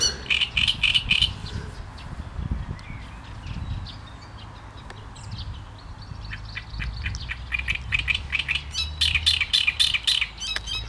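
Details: Great reed warbler: a grinding, repeated-syllable phrase opens, quieter sparse notes follow, then a long strident bout of croaking, chattering units to the end.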